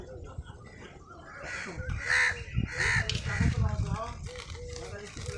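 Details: Crow heard while eating, alongside a squirrel; two loud, grating caws come close together near the middle, with low background rumble and some human voice.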